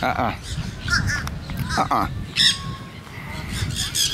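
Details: Wild monk parakeets at St. Pete Pier giving loud, harsh, raspy squawks in short bursts, the strongest near the middle of the clip, with people talking throughout in the background.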